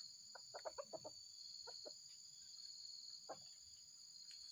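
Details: Wild white-legged red junglefowl during luring by a trapper: a quick run of short, mid-pitched clucking notes, then a few spaced single clucks, over a steady high-pitched insect drone.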